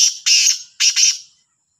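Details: A black francolin (kala teetar) gives its morning call in Sahiwal on 18/09/22: harsh, grating, rasping notes in two quick pairs over about a second, loud and scratchy with nothing else heard.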